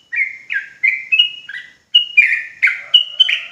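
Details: Trucuk jawa (sooty-headed bulbul) song to provoke rapid ropel singing from other bulbuls. Clear, bubbling whistled notes step up and down in pitch, in two runs with a brief break between them.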